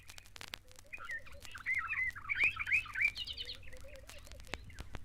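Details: Greater Swamp Warbler among papyrus near East African lakes sings a two-second burst of rich, rapid, slurred warbling phrases, with softer low notes underneath and scattered clicks from the recording.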